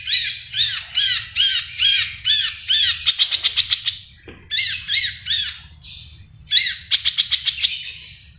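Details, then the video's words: Long-tailed shrike in full, energetic song with rich fill phrases: series of arched, harsh chattering notes alternate with rapid rattling bursts of sharp clicks, all high-pitched and loud. "CENDET GACOR FULL ISIAN MEWAH SUPER"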